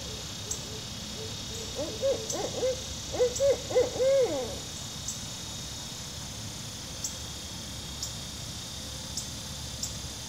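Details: Barred owl, one of two birds, delivers a rapid run of about eight short arched hoots over roughly two seconds, ending in a louder drawn-out hoot, followed by quiet hiss with faint clicks.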